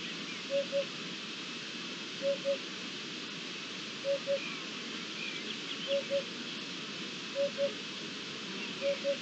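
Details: Song of a Eurasian hoopoe recorded 7 May 2021: paired low, hollow hooting notes given in a regular rhythm, six double hoots, set against steady rushing background noise.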